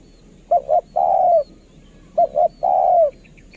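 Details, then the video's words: Kharom-voiced decoy spotted dove giving two lure phrases, each two short clipped coos followed by a long smooth croon sliding downward, with faint distant chirping afterward. "นกเขาใหญ่ สายต่อ เสียงต่อหมานๆเสียงนกคารม"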